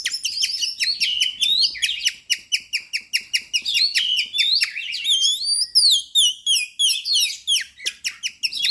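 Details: Lure recording of a constantly singing oriental magpie-robin: loud rapid strings of varied chips alternate with rising and falling slurred whistles in a continuous, restless flow.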